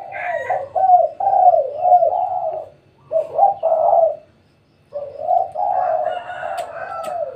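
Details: Repeated muffled coos from a spotted dove at home in the middle of the day, in three phrases separated by short silences, with a faint low rumble behind.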